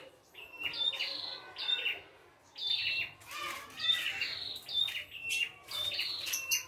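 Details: Red-headed prinia singing in the wild, a busy full song of sharp whistled notes and buzzy rising phrases in repeated bursts, with a brief pause and a few faint rustling sounds.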